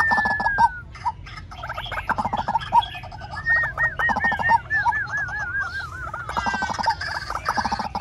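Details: White-breasted waterhen calling as a trapping lure: loud, repeated croaking notes with a rapid series of looping, bubbling whistles, mid-pitched and insistent; faint background hiss.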